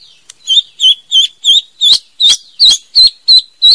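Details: White-rumped shama, a female, singing: a series of about ten short, bright whistled notes repeated roughly every third of a second, each with a quick upward inflection, clean and loud against a quiet background.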